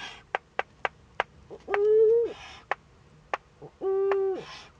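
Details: Eurasian eagle-owls in a nest in northern Rhineland-Palatinate, Germany, 15 May 2013, as a young owl first meets an adult. Two drawn-out, steady harmonic calls, slightly rising then dropping at the end, with rasping hisses and scattered sharp clicks.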